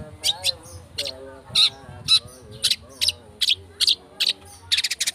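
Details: Lure song of a long-tailed shrike in rapid 'speed rapet' style, meant to make other birds sing: rasping scratchy notes spaced about every half second, ending in a quick stuttering burst, with a faint low hum beneath.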